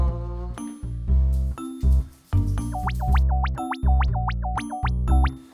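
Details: Playful music with bass notes and springy boing sound effects that swoop up and down, no animal voice.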